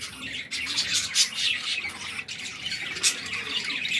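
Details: Budgerigar chicks give harsh, raspy squawks in rapid bursts while begging; their injured mother is still feeding them.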